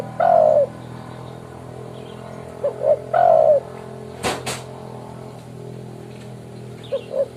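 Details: Spotted dove giving its rival-calling coo, used to lure birds for trapping: long mellow falling coos, each preceded by two short notes, phrases about three seconds apart, with a brief rustling knock midway.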